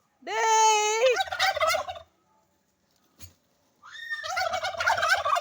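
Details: Turkey sound: a note sweeping upward then held steady, dissolving into a throaty, gurgling gobble. A quiet pause with a faint click follows, then a second rising call and burbling rattle.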